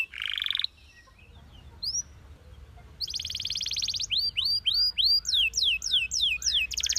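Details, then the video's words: Belgian canary singing high and fast: a buzzy trill, a short pause, then a dense rolling trill and bright swooping whistled notes repeated about three times a second. "Belgian Canary Singing"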